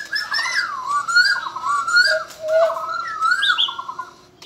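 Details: White-crested laughingthrush, kept as a cage bird, sings a flowing series of rich, slurred whistled phrases that rise and fall, with a few lower notes in between.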